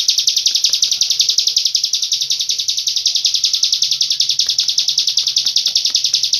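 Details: Hill prinia, a long-breath tutor song from Cililin: a continuous, rapid, buzzy trill of high pulsed notes, about three to four per second, running unbroken throughout.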